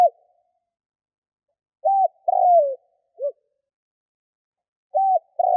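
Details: Spotted dove kept as a lure for wild doves in Vietnam, giving low mellow coos. A hoot and a downslurred coo are followed by a short soft note, then the phrase begins again after about two seconds of silence.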